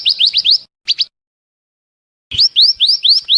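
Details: Scarlet minivet, a lure for bird trapping: quick rising whistled notes and a pair of short chips, then after a pause a renewed series of sweeping upslurs.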